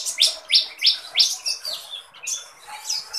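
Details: Kolibri ninja sunbird in lively song: four sharp, high descending chirps repeated about three times a second, followed by softer, jumbled high twitters and thin sweeping notes.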